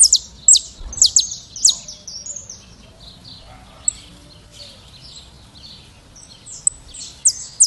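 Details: Saffron finch (Sicalis flaveola) classic song: high, sharp chipping notes and short bright phrases in bursts, with a quieter pause in the middle and faint background hum; finding: Saffron finch.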